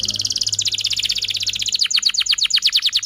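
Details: Canary in full song meant to set other canaries singing, a rapid high trill changing into rhythmic repeated slurred notes.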